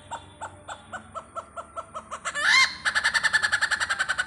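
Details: Great hornbill in Pathanamthitta gives a steady string of short barking notes that speed up, then one loud, rasping, upward-sweeping squawk, followed by a fast, harsh, pulsed chatter.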